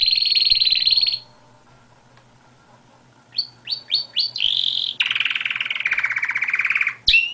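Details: Canary in song: a dense buzzy trill, a pause, several quick rising chirps, then a long, fast, slightly falling rolling trill and a final sharp note.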